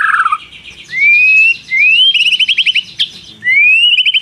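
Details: White-rumped shama song with prinia imitation and long trills: a low buzzy note opens, then three clear rising whistles, each followed by fast high pulsed notes.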